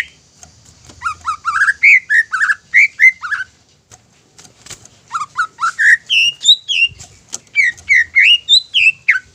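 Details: Caged greater green leafbird pouring out a fast whistled song used to stir other leafbirds to sing, two bursts of quick slurred notes separated by a short pause, with a faint low hum behind.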